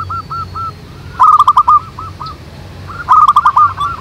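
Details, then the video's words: Zebra doves, local wild birds singing (manggung) in a group: soft hooked coos, then two loud bursts of fast clipped notes about two seconds apart, with a quiet high whistle from another bird. "SUARA BURUNG PERKUTUT MANGGUNG RAMAI DI ALAM"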